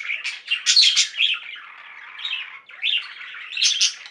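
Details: Budgerigars kept as a flock, singing and chirping: a short run of rapid scratchy warbling that dips briefly, then rises again into high squeaky notes.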